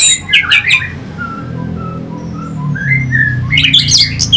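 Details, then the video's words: A harsh, jumbled burst opens and closes this orange-headed thrush lure song, used to provoke fighting birds. Between the bursts come soft, spaced whistled notes, with a noticeable low droning hum throughout. "Pancingan SUara ANIS MERAH Pembangkit Figther Burung"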